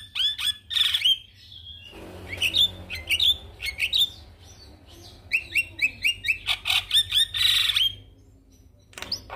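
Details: Javan myna singing in response to a lure recording, with loud squeaky whistles and chatter in bursts, pauses between phrases, and a harsh noisy section near the end.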